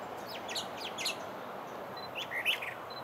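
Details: A Brown Thrasher sings quick bursts of sharp, chirpy, varied notes in short phrases at Bay Street Park, Osprey, Florida, over a steady hiss of background noise.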